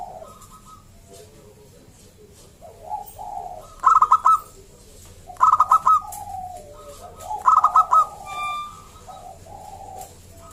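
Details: Local zebra dove singing vigorously, its voice intended to prompt other zebra doves to sing; soft low coos build into three loud stuttered bursts of quick clear notes about two seconds apart, then ease back to gentle coos.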